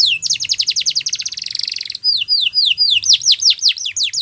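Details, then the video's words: Russian canary singing a training song: a fast rolling trill for two seconds, then slower, louder downward-sweeping whistles repeated about three per second. "Russian Canary Singing | The Best Canary Training Song"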